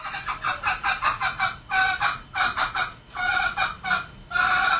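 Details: Male junglefowl on a lure recording giving a rapid, harsh cackling series of short raspy notes, about five per second, grouped in bursts separated by brief pauses, with no other sounds.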